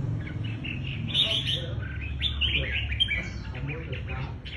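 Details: Red-whiskered bulbul in its fighting manner: a busy run of clear, sweet whistled notes that slur up and down, with overlapping chirps from other birds and a low hum underneath.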